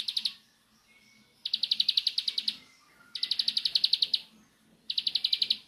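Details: Bar-winged prinia delivering nembak-style song: four bursts, each roughly a second of quick, metallic, high chips, spaced by short silences with a faint thin whistle between them.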